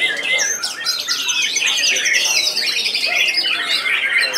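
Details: White-rumped shama (murai batu) competing in the murai batu class of a songbird contest, singing continuously during judging in a style called ngedur with sharp bursts; dense overlapping high whistles, trills and chattering phrases from several birds.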